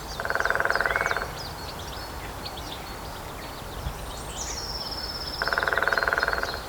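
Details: Two brisk drum rolls, each about a second, from a lesser spotted woodpecker striking a dead tree trunk in Grathem, Netherlands, 23 March 2026, 14:00. They are separated by roughly four seconds of high bird twittering and whistles.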